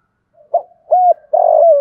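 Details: Cooing of a spotted dove, meant to prompt other doves to coo: a brief note, a clear level coo, then a long rough coo sliding gently downward, cut off at the end.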